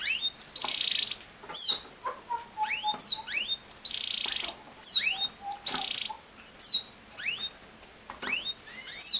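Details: Canary, a caged bird, singing loud buzzy rolls that alternate with sharp upward sweeps and soft low chucking notes, the phrases coming in bursts every second or two.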